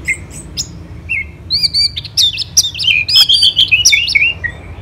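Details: Orange-headed thrush, a kept songbird from Kubutambahan, Singaraja, Bali, singing steadily: rapid high whistled notes and sweeping slurred phrases, some buzzy, crowded into a busy run of about three notes per second, with low background hum.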